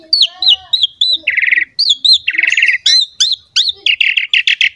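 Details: Asian pied starling song for prompting young starlings: repeated looping whistles alternating with fast buzzy trills, about three notes per second, ending in rapid rattles.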